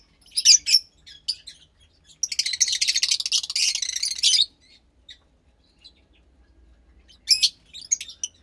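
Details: Fischer's lovebird chick, around 15 days old, captive, from lutino and pastel blue parents; a few sharp high squeaks, then a two-second rapid rasping chatter, then quiet and more squeaks.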